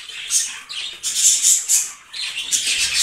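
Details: Budgerigar breeder pair of yellow, blue and green birds giving loud, scratchy, high warbling phrases in three bursts separated by brief pauses.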